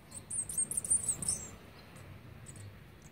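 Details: Olive-backed sunbird chicks being fed on the twelfth day of feeding, 29 September 2019: rapid burst of very high, thin twittering squeaks lasting about a second and a half, then faint scattered high notes.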